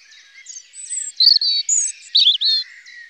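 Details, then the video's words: A European robin gives high, thin, wavering whistles and squeaky trills in quick, varied phrases, with faint chirps from other birds behind. "le rougegorge familier"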